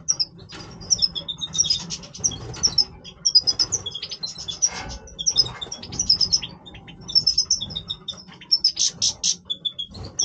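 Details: Major goldfinch singing its breeding voice, a lively run of high tinkling twitters, chirps and quick rattled bursts that come in clusters and pause briefly between phrases.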